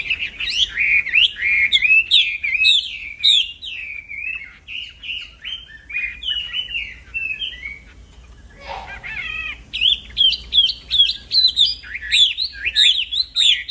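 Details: Singing black-throated laughingthrush, a fighter-style wambi used as a master for other birds: long rhythmic series of hooked whistled notes, a brief harsh break midway, then loud repeated phrases resume.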